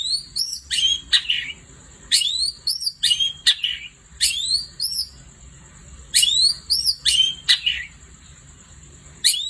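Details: Long-tailed shrike singing lively at night, with bursts of varied whistled chirps and squeaky twisting notes grouped in clusters every second or two, and a steady thin high tone behind them.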